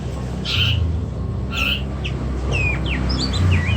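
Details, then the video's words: Oriental magpie-robin (kacer), a caged bird, gives a few bright whistled notes and quick upslurred and downslurred phrases over a steady low hum and background noise. "kacer macet"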